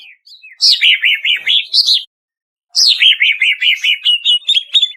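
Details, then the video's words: Banyuwangi greater green leafbird song from a professionally processed lure recording: two bursts of quick chattering, warbling notes that start with a high downward slur and bounce in rapid short phrases, separated by a pause of under a second. "Suara Pancingan Jitu Cucak Ijo Banyuwangi"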